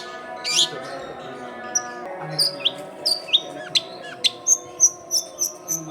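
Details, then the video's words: Long-tailed shrike song played as a lure for wild young shrikes, recorded at a home in a crowded neighbourhood: high, sharp chirps and short whistled notes repeated in a quickening series, over a steady low hum. "SUARA CENDET GACOR AMPUH BUAT PANCINGAN CENDET BAKALAN"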